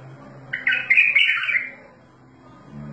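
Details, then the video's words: A bulbul gives a short, lively warbling phrase of about one second, full of quick bubbling notes, followed by quiet with a low background hum. "اجمل تغريد بلبل"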